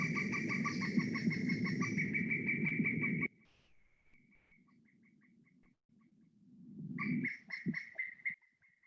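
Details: A Pileated Woodpecker, one of a pair seen in South Florida, gives a loud, ringing series of rapid wuk notes, about three a second, played over room hum, then falls quiet and resumes briefly.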